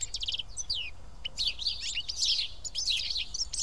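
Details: House sparrows feeding as a group at Karyotissa, Greece: a few descending tweets open, then crowded, rising-and-falling chirps from several birds together.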